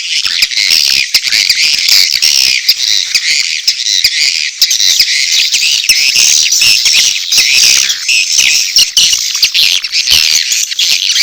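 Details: Chorus of edible-nest swiftlets giving mating calls together with chick calls, a continuous high, shrill chattering of overlapping twittering chirps with no pauses throughout.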